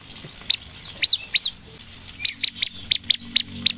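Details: Bar-winged prinia lure song: a few scattered slurred notes, then a steady series of high, clipped notes repeated roughly every quarter second.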